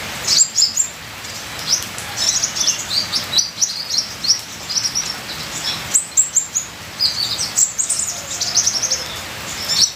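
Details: Ninja sunbird song with full fills, recorded for training birds: bursts of rapid, very high, sharp twittering separated by short pauses, over a steady rain-like hiss.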